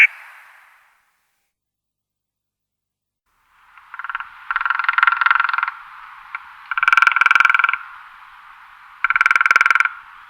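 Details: A woodpecker drumming: after a short silence, three bursts of rapid knocking follow, each lasting about one to two seconds and ringing with a resonant tone.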